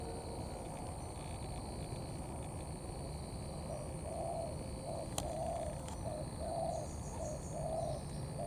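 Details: Wild-caught spotted dove cooing in the mixed 'thổ' and 'cấn' style: after four quiet seconds, a run of soft, low, hollow coos in short and longer notes, about one a second, over steady hiss and faint distant chirps.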